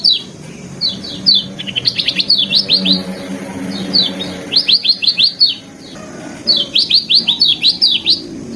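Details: Lemon-bellied white-eye, heard on a training recording of varied song, gives repeated bursts of rapid, high, downslurred chips in tight groups of four to eight, with short pauses between bursts over a soft low background hum.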